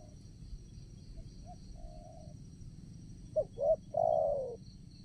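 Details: Spotted dove used as a decoy to draw wild doves for trapping; faint distant cooing, then one loud close phrase of two short coos and a long falling note, insect drone throughout.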